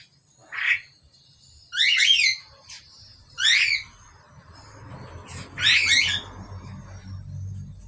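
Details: Two Asian pied starlings with four spaced calls: a short hoarse note, then rich, buzzy, many-layered squawks roughly every one and a half seconds, with low rumbling near the end.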